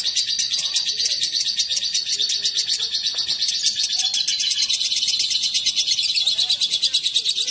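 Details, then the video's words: Lovebird male and female together give a rapid, strident twittering chorus of sharp, densely packed notes that carries on without a break. "Kicau burung//Jika raja dan ratu di pertemukan"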